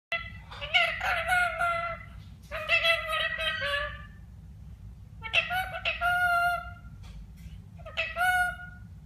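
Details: A talking parrot in Kerala, India, producing bursts of voice-like, speech-imitating sounds with strong harmonic bands, in four phrases of about a second each separated by short pauses, over a steady low hum.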